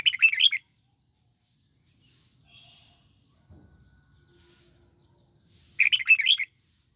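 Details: A red-whiskered bulbul being trained in the '89 xoắn tít' song style sings two short bright warbled phrases about six seconds apart, with a quiet gap and faint low rustling between.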